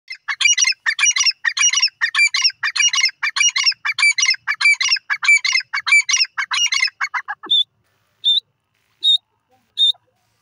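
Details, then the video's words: A francolin (teetar), linked to Indonesia, gives a rapid run of loud, harsh, scratchy chirps, about two per second for roughly seven seconds, followed by a few short, clear whistled notes. "teetar best speaking"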